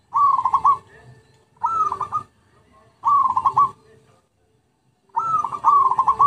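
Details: Lure song of a zebra dove: four pulsed phrases about every one and a half seconds, each an upslurred coo breaking into fast stuttering notes, the last phrase doubled.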